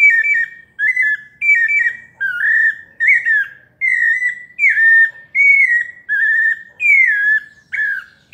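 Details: Pale-breasted thrush, 'paulista' melodious song: a long run of clear whistled notes, several with downward slurs or quick wavers, spaced under a second apart.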